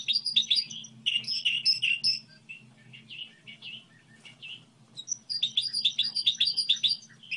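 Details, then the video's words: Twittering song of a goldfinch hybrid, sung as a model song: busy chirping phrases, a softer quieter middle passage, then a loud return of rapid bright notes over a low hum. "Hibrid sticlete ,model de cântec (Goldfinch hybrid)"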